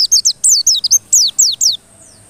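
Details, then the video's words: White-eye lure song for provoking persistent singing. A dense, fast flurry of shrill, high twittering whistles, each sliding downward, packed into under two seconds before fading. "PANCINGAN PLECI agar NGOTOT"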